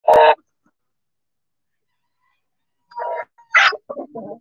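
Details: Backyard chickens out in the sun: one loud, harsh squawk burst opens, then after a long silence a cluster of short harmonic calls and clucky notes, rising to a sharper squawk before fading into lower, broken clucks.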